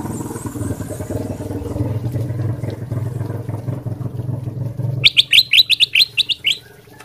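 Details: Bulbul of the kutilang emas sutra type singing as a lure for other birds: after a long stretch of loud low rumbling noise, a lively run of about nine crisp, sharp whistled notes bursts out.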